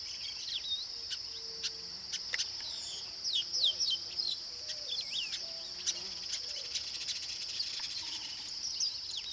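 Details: Young chestnut-capped blackbirds in a flock near their breeding colony with some adults, Tupi Paulista, São Paulo, Brazil: many short sliding chirps and squeaky notes overlap irregularly above a steady shrill insect drone.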